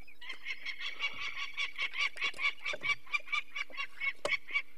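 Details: Adult female peregrine falcon at her nest in the Barycz Valley, Poland, on 2 May 2023, alarmed as people remove one of four chicks with eye problems; harsh, rapid repeated cackling notes, steady rhythm of about two per second.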